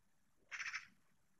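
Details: A young long-eared owl in Spain, 16 July 2024, gives one short, hissy, squeaky call with a slightly pulsing texture. A faint low background hum is heard before and after.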